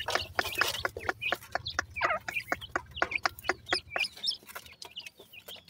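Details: Baby partridge chicks feeding: rapid, sharp pecking clicks overlaid with short, high peeping notes that slide up and down, scattered throughout, with a faint low hum beneath.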